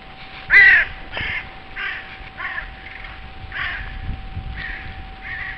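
A loud, harsh caw opens, followed by several fainter hoarse caws from other crows about every half second to second, over a steady low hum.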